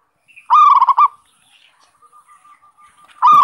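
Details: Lure recording of a zebra dove: a loud burst of quick, bubbling coo notes, then a long quiet sustained coo, and a new burst starting at the end.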